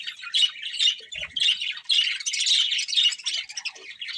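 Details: Several budgerigars eating and singing, a lively mix of harsh squawky notes and quick chirps repeated in rapid bursts, with a faint low knock.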